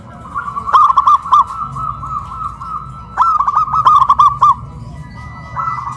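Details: Local zebra doves, caged and raised high on a hoist pole in Kuningan, West Java, Indonesia, loudly singing two long runs of rapid, bubbling coo notes at near-constant pitch.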